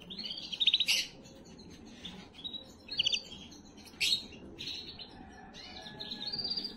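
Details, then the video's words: Canary song for stimulating females: short bursts of high trilled phrases separated by quieter gaps, with a few sharp louder chips and a soft continuing warble at the end. "تغريد كناري للتسميع وتجهيز وتهييج الاناث"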